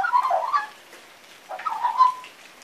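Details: Young magpie singing, its song not yet fully formed; two short bursts of warbled, whistled notes with squeaky slurs, separated by about a second of quiet.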